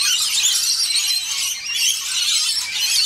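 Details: At least eight scaly-breasted lorikeets bathing at a birdbath in SE Queensland during a dry spell give a steady stream of overlapping harsh, high-pitched screeches and chatter, possibly with splashing water.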